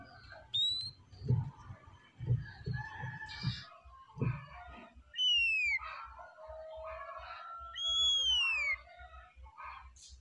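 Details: Oriental magpie-robin singing calmly, a varied phrase of clear whistles, some falling in arcs, others rising, mixed with a long, steady mid-pitched note, after a few thumping low sounds.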